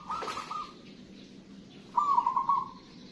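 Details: Zebra dove (local perkutut) in full song gives two short, trilled cooing phrases about two seconds apart. A low constant hum and hiss run underneath.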